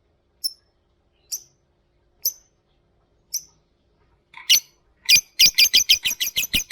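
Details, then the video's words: Lovebird singing a ngetik ngekek prompting song: four separate high sharp chirps about a second apart, then a fast run of loud, rapidly repeated chattering notes at the end. "kicau lovebird pancingan lovebird ngetik ngekek"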